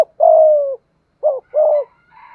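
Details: Malaysian spotted dove in 'thúc gù' cooing: one long, even, slightly falling coo, then a short rising note and a second sustained coo. A faint higher sound drifts in at the end.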